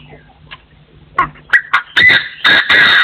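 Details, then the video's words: Partridge crowing in forest, recorded in 2024: faint scattered notes give way to loud, harsh, raspy calls that quicken and lengthen into strong buzzy bursts over the last two seconds. "The latest sound of partridges in 2024 crowing"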